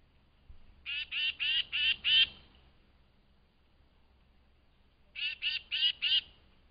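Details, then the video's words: Tufted titmouse calling excitedly at dawn at a flying squirrel feeding station: harsh, raspy scolding notes in two quick runs, five notes then four, about three per second, with a quiet pause between. "Tufted Titmouse Call"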